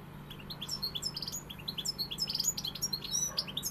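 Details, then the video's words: European goldfinch in pegada song, a dense, lively run of high twittering and buzzy chirps without pause, over a low background hum. "Jilguero pegada"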